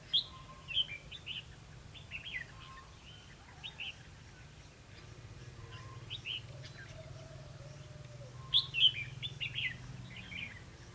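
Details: Red-whiskered bulbul recorded during trapping on 11 November 2016, a decoy bird singing: short bright warbled phrases in bursts scattered through the clip, loudest near the start and end, over a low steady hum and outdoor background.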